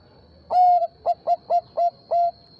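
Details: Bangkok-type zebra dove singing loudly in reply to a rival: a strong, held coo followed by five quick, clipped cooing notes in a steady rhythm, with a faint high whine behind.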